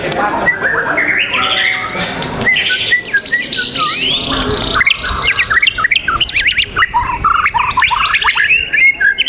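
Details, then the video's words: White-rumped shama at a singing contest dated 12 December 2021, delivering rich, varied whistles, rapid trills and quick slurred notes, overlapping with other competing songbirds in the background. "lomba the legend murai batu nusantara"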